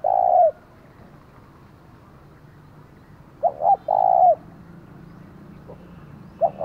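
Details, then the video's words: Caged decoy spotted dove sounding the 'thúc' call meant to lure and provoke wild doves; a long coo, a pause, then a quick double hoot and a drawn coo, over a quiet rural background. "Chim Cu Mồi, tiếng thúc vang cả xóm mở lên kích bổi hiệu quả"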